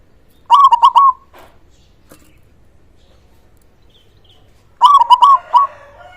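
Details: Local zebra dove song: two loud stuttered phrases of rolling purred notes, separated by about four seconds of near silence.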